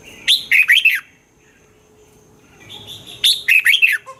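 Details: Red-whiskered bulbul, a caged bird, singing to rouse other caged birds: two bright bursts of four quick warbled notes, each dipping and rising around the middle pitch, separated by a quiet pause.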